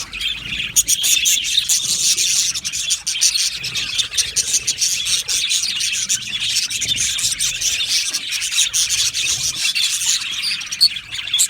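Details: Australian budgerigar colony in an aviary, a dense, continuous wash of high chirps and warbling chatter from many birds, with sharp clicks and squeaks sprinkled throughout the whole stretch.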